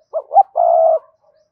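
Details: Spotted dove calling: two quick rising coo notes lead into one sustained, steady, purring coo, low-pitched and soft.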